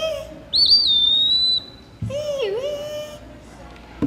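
A high, clear, drawn-out whistle of an Eastern Wood-Pewee, slightly wavering at the start, followed by a person's lower, slurred spoken imitation of the pee-wee phrase.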